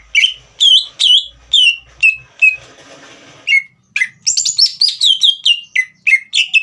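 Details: Green leafbird song aimed at provoking a young bird to sing: quick downslurred whistles, a roughly one-second patch of soft hiss, then a denser run of high, bright, varied whistled notes.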